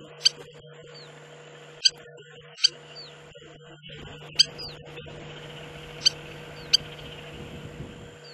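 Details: Spur-winged lapwing (siksak) in the Agamon Hula area of the Hula Valley, Upper Galilee, Israel: six sharp, metallic click-like notes at irregular one-to-two-second gaps, with faint short curved chirps and a steady low hum underneath.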